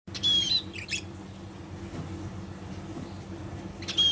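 A budgerigar gives bright, high chirps and a thin whistled note, opening and closing a short pause.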